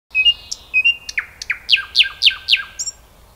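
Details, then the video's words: Common nightingale song: two clear whistled notes, then a run of about eight sharp downward-slurred notes repeated roughly every quarter second, ending on a high thin whistle. "Соловей поет / nightingale song"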